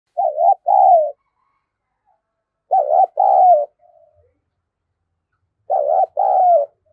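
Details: Decoy spotted dove cooing in the thổ sấm voice style, used to lure wild doves. Three low, mellow two-part coos: a short wavering note, then a longer one that slides down. Each phrase comes about every three seconds, with silence between.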